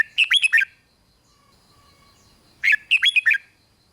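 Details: 'Rik' song of a red-whiskered bulbul, sung to fire up other bulbuls; two crisp phrases of four or five rapid, rising-falling chirps, separated by a two-second near-silent gap.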